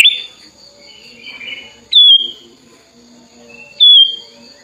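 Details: Tame hand-raised sooty-headed bulbul, opening its wings while calling to a rival: loud, clear whistled notes sliding down from high pitch, given about every two seconds, with faint chattering and a steady high hum between them.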